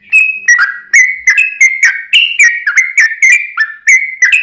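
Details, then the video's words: Yellow-vented bulbul giving a long, full song used to lure other bulbuls into answering; rapid liquid whistled notes, each bending up or down, tumbling out about three per second in an uneven chatter, with no other sounds. "trucukan gacor ROPEL PANJANG buat pancingan trucukan agar bunyi"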